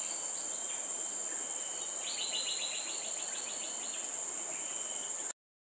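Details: A female Buff-rumped woodpecker (Meiglyptes grammithorax) gives a quick series of about ten high, evenly spaced notes over two seconds, against a steady shrill insect drone.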